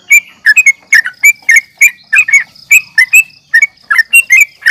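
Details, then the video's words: Sooty-headed bulbul (trucukan) calls used as a fighting lure recording to provoke birds: loud, dense bursts of short bubbly chirps and warbled notes, several birds overlapping, with a steady thin high tone behind. "trucukan gacor NGGARUDA UPLIK TARUNG"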